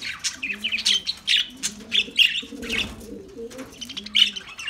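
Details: Several lovebirds chirp in rapid, shrill bursts, almost without pause, while soft low cooing runs underneath.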